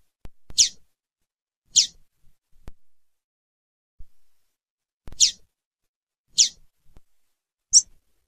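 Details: Female lined seedeater calling: five short, high, thin chirps spaced one to three seconds apart, separated by silence and a few faint clicks.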